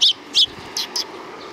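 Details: Sparrows coming for food along a Tenmangu shrine's front approach, 29 May 2020: two loud, sharp chirps followed by two fainter, higher ones, spaced about a fifth of a second apart, over low background hum.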